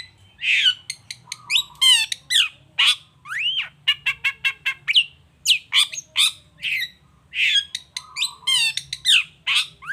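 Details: Long-tailed shrike song played as a lure to make other shrikes respond: a dense, fast jumble of harsh squawks, sharp clicks, downslurred notes and a level low whistle, continuous for ten seconds.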